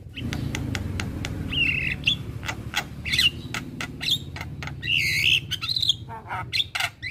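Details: Male Javan myna singing to prompt other mynas: rapid dry clicks interspersed with short warbled whistles over constant low background noise.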